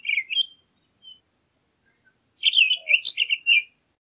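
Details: Townsend's solitaire: a brief high warbled note, a pause, then a fuller run of quick, tumbling, sweet phrases, with silence in between.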